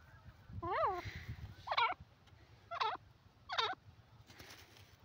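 A grey francolin gives four loud, nasal, ringing notes, roughly one a second, over a low background rumble.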